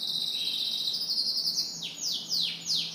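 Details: Morning song of a canary: a steady high rattling trill, then a run of quick downward-sweeping whistled notes repeated about twice a second; a faint low hum underneath.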